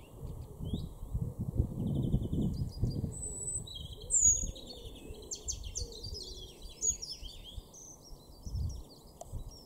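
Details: European greenfinch in a garden in Norden, East Frisia, northwest Germany, April 2023: quick high twittering chirps and trills in short bursts over steady low rumble of wind or distant traffic.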